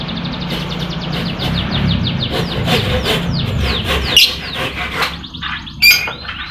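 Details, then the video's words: Lovebird song used as a lure for lovebirds reluctant to sing: a fast run of squeaky, downward-sweeping chirps repeated in quick succession, ending in sharper high squeaks, over a steady low hum. "Pancingan Lovebird Malas Bunyi, suara burung lovebird bikin emosi lakbet lain"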